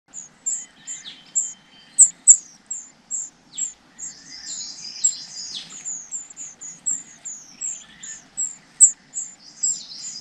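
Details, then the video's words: Nestlings waiting for their parents to bring food give a steady series of very high, thin chirps, repeated several times per second with brief gaps, against a faint low background hum. "Những Chú Chim Non Ngóng Chờ Bố Mẹ Mang Thức Ăn Về"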